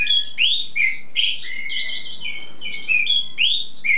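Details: A bird, also a cabresto, now at the stage of showing off its song, sings for hours nonstop: a lively, continuous warble of rising and falling whistled notes with quick slurs and trills, steady throughout.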